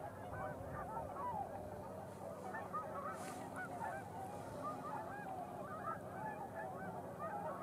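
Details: Tundra swans crowding into a pond at nightfall after arriving through the twilight hour; thick, unbroken chorus of many high, bugling whoops and honks overlapping, with a brief soft noise burst near the middle.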